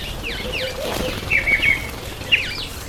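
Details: Masked weaver in breeding season, September to October: several short, sharp sweeping chirps and buzzy chattering notes, some clustered in quick runs around the middle and near the end, with light wing flapping nearby.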